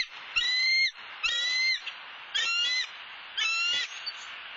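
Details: Four high, squealing whistled notes from a wild bald eagle at its Southwest Florida nest, after the male brought a soft-shelled turtle. The notes come in separated bursts over faint hiss.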